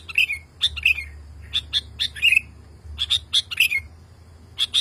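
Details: Agitated male sooty-headed bulbul calling a female after hearing other bulbuls. He gives clusters of two to four sharp high chirps mixed with short descending slurs, separated by brief silences.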